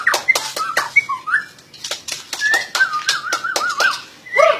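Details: White-rumped shama singing a varied phrase of clear whistled notes, some rising, some falling, ending in a wavering warble, interspersed with sharp clicking or tapping sounds.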